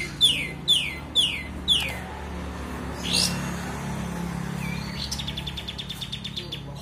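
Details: A sooty-headed bulbul gives four sharp, high, descending whistles about half a second apart, a quick rising sweep, then a rapid chattering series, over a low steady hum; used to prompt bulbuls that have stopped singing.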